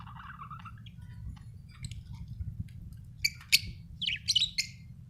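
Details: Budgerigar chirping: soft warbled notes early on, then sharper bright chirps and squeaky twittering bursts in the last two seconds, over a steady low hum.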